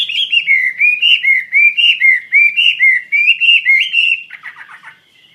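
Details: Chinese hwamei singing a fast run of looping whistled phrases, each one rising and then dipping, about four per second, ending in a brief scratchy chatter before fading out.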